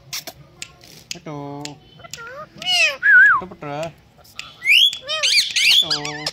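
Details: Talking Indian green ringneck parakeet, kept as a pet, mixes speech-like phrases with clear, wavering whistled notes and rising squeals. Harmonic voice-like sounds and bright whistles alternate over about six seconds.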